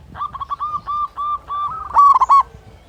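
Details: Local zebra dove kept as a song lure to stir other doves: a run of soft, evenly spaced coos that swells into a louder rolling phrase near the end.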